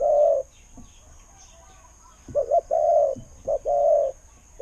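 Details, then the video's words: Spotted dove used as a decoy, with a good voice. A long deep coo ends, then after a pause two phrases, each a brief wavering note followed by a sustained mellow coo. "เสียงนกเขาใหญ่ เจ้า 800 คูอ่าง เสียงดี ต่อเข้าหมาน"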